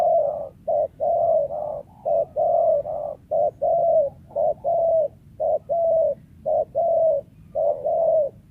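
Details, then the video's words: Wild spotted dove, a prized lure bird, cooing continuously: short low notes alternating with longer smooth coos, a rapid chain of phrases over several seconds. "TEKUKUR LIAR SUARA IDAMAN PEMIKAT"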